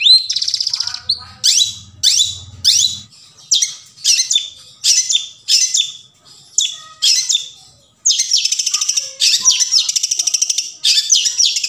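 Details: Long-tailed shrike recorded in the forest, a lure to start quiet shrikes singing; scratchy, harsh bursts repeated about once a second, ending in a long rapid rattling trill.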